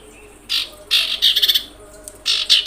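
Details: Common iora lure calls meant to provoke other ioras: a series of harsh, scratchy high bursts, some broken into rapid pulses, repeated across the clip.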